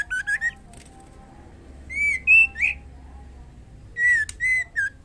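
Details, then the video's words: Calling to the male, a breeding-condition female white-rumped shama gives three clusters of bright whistled notes, three to four per cluster, each note clear with a slight rise or fall, separated by short quiet gaps. "SUARA MURAI BETINA MEMANGGIL JANTAN AGAR CEPAT GACOR DAN BIRAHI"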